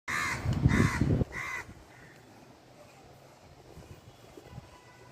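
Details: Crow on its nest giving three harsh, hoarse caws in quick succession over about a second and a half, then falling quiet; low rumbling wind or handling noise sits under the calls.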